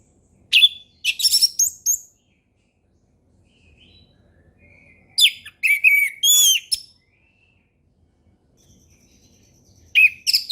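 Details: Orange-headed thrush delivering ngeplong song. Clusters of sweet, sliding whistles and trills come in bursts a few seconds apart, with silence between.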